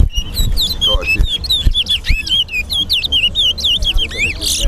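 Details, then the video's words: Towa towa, or chestnut-bellied seed finch, at a singing competition at Guyana National Stadium delivers a steady stream of sweet whistled notes, each slurred up or down, with faint voices and knocks beneath. "TOWA TOWA BIRD SINGING COMPETITION AT GUYANA NATIONAL STADIUM"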